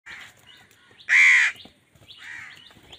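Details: Crow calling angrily while wild birds fight with crows over food: one loud, harsh drawn-out caw in the middle, framed by softer hoarse caws before and after, with faint chirps from other birds.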